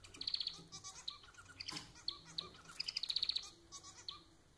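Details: Pet society finch, called manon in Portuguese, singing in a fast run of buzzy, chattering high notes in short bursts, with softer chirps and a brief scratchy rustle between phrases.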